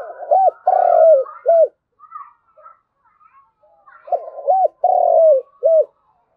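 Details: Spotted dove calling its flock with two bouts of soft, low coos, each a short group of one long hollow note between shorter arched ones, separated by a gap with faint chirps from other birds.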